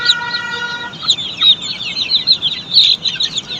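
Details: Poultry-farm Australorp chicks, a steady chorus of thin high peeps in quick succession, opening over a brief tonal drone that fades after the first second.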